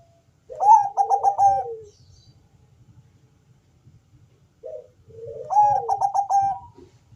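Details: Zebra dove, Bangkok type, with a thick bass voice, singing to lure other doves to call. Two songs of rapid, bouncing coo notes ending in a drawn, falling coo, set against a faint low hum.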